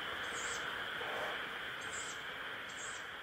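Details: Owl nestling calling 'pish, pish': three brief, thin, hissy squeaks spaced about a second apart, set against a steady wash of background hiss.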